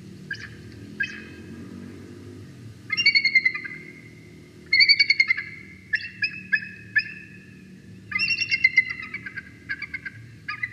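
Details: Bald eagle chortling at the nest on a live nest camera in Big Bear Valley, July 12; bursts of high, rapid, squeaky piping notes in several series, each lasting about a second, separated by short pauses.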